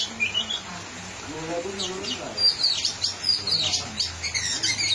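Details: Oriental magpie-robin (kacer) on the track, singing gacor: a short high whistled phrase, then bursts of sharp, rapid chips and slurred high whistles repeated through the second half, over a steady low hum and murmur of voices.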